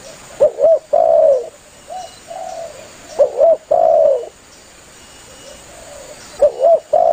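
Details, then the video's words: Lively spotted dove calling its companions, used by hunters as a lure: low, mellow coos in repeated phrases of two quick notes and a longer held coo, about every three seconds. "Suara burung tekukur Gacor memangil temannya"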